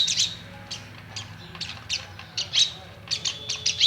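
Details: Indian myna at a home, watching itself in a mirror: short, scattered, high chirps and harsh squawks come in spaced bursts, with quiet pauses between them and a low hum underneath.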